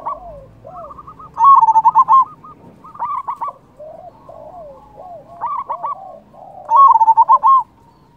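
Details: Loud local zebra dove cooing to make rival doves respond and to raise their breeding drive. Clusters of clipped, rapidly repeated coo notes alternate with falling and rising mellow notes, with loud trilled bursts near the start and end.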